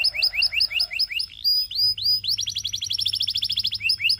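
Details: Canary singing to tempt other canaries to sing: repeated paired chirps, clear drawn-out whistles, then a fast, regular series of bright repeated notes.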